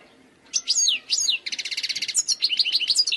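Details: Wild European goldfinch in continuous song: swooping, buzzy notes lead into a fast, dry rattling trill, then a jumble of varied liquid twitters and chirps.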